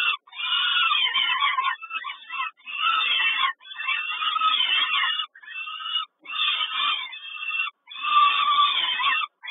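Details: At a Kawęczyn nest on 3 June 2022, a peregrine falcon mother delivers breakfast. Loud, grating wails come in long bursts of one to two seconds, broken by brief gaps, with several overlapping rough voices.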